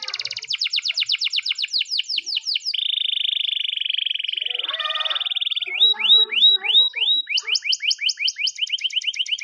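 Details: Morning canary training song: a rapid rolling trill gives way to a long steady buzzing tour, then looping whistled notes and another quick, evenly repeated trill.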